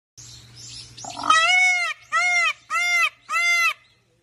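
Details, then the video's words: An Indian peafowl (peacock) calling in a village gives four loud, nasal, wailing notes in quick succession, each rich and arched in pitch, after faint background noise and a low hum. "peacock calling"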